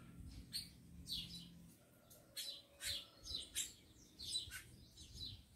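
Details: Captive tico-tico (rufous-collared sparrow) kept by a breeder, a fired-up male with lively females, giving short, high, downslurred chirps repeated irregularly about once a second over a faint low room hum.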